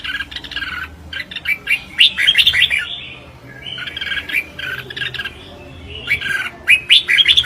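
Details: Red-whiskered bulbul in a singing contest, dense chattering phrases of bubbling, warbled notes, three bursts with a brief lull midway.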